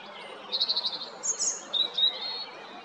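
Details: European robin recorded 13 April 2022 at Jarun, Zagreb, Croatia: a rapid stuttering trill of high notes, a thin lofty whistle, then a lower fluty slur ending the phrase.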